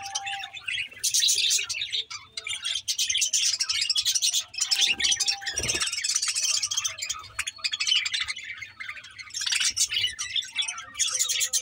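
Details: Budgies on 24 May 2024 fill the recording with continuous high, rasping chatter and fast chirps in waves, a level tone sounding early on and a low thump near the middle.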